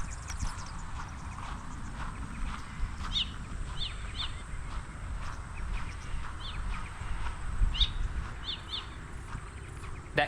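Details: In the morning at Samford Eco-corridor near Brisbane, Australia, a White-breasted Woodswallow gives short, sharp, dog-like "yup yup" barks in pairs every second or so, over a steady low wind rumble.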